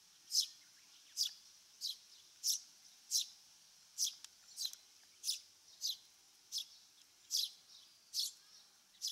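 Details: Eurasian tree sparrow in Japan's farmland, grassland or waterside habitat, giving short sharp high chirps, about a dozen spaced irregularly under a second apart, with faint background noise.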